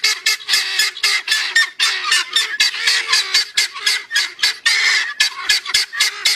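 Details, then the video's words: Guineafowl give harsh, grating, rasping calls in a rapid chattering series, about four a second, loud and unbroken throughout. "Guineafowl making sounds"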